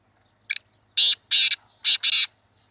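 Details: Black francolin, locally called kala teetar, calling in a hunting context: a short opening note followed by four loud harsh grating bursts in quick succession, clustered in two pairs.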